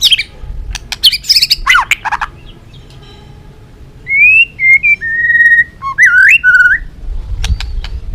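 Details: Song of a white-rumped shama in the balak 6 style, played to lure birds for capture: harsh scratchy bursts open, then after a pause come clear level whistles and a rising, swooping whistled phrase.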